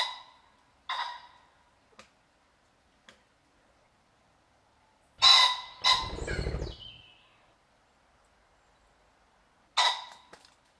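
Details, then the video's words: Startled common pheasant in the European and UK countryside clucking as it flies away: a few spaced harsh clucks, then a loud burst of raspy calls over deep whirring wingbeats lasting about two seconds, and a final sharp cluck. "What does the pheasant sound like?"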